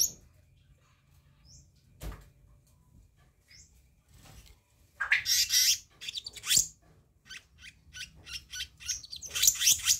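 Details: Black-naped monarch, recorded as a lure for training birds: quiet opening with a few faint thin whistles and a click, then loud harsh chatter bursts and fast repeated scratchy notes in the second half.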